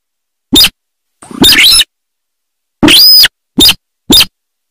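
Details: Loud, rasping sintar sawah notes: short clipped bursts alternating with longer grating calls that carry a shrill ringing overtone, in a loose irregular series.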